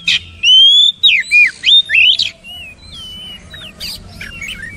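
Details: Oriental magpie-robin delivering loud, ringing whistles that rise and then drop sharply, four or five strong phrases in quick succession, followed by softer scattered chirps.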